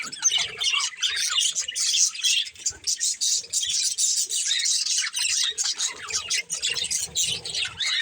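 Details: Pet budgerigars of a breeding pair chattering: steady, high, scratchy warbling and quick chirps run throughout, with soft low murmurs underneath.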